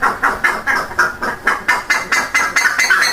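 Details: Buff-necked ibis, a South American bird of open pastures and savannas, calling in a fast series of loud nasal honking notes, about two per second, steady throughout.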